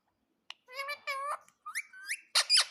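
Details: Pet parrot chattering: steady harmonic squawks, then short upward-sweeping whistles and harsh bursts, about six sounds in under three seconds.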